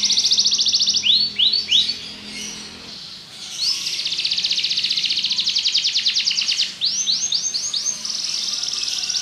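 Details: Belgian canary singing softly at first with a trill and a few down-slurred notes, then a long buzzy rattle and a quick series of arched whistles.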